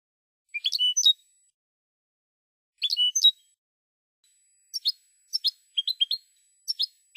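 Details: Spanish-style European goldfinch song on a silvestrismo recording: two short twittering phrases, each ending in a drawn-out whistled note, separated by a pause, then a string of brief chirps.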